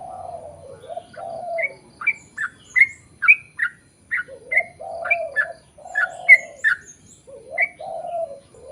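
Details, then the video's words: Sooty-headed bulbul song played to draw other bulbuls into singing: spaced, bright whistled notes that slur downward, alternating with low cooing warbles between bursts. "KICAU SUARA trucukan gacor ROPEL PANJANG pancingan trucukan agar bunyi MENJADIKAN trucuk gacor NYAUT"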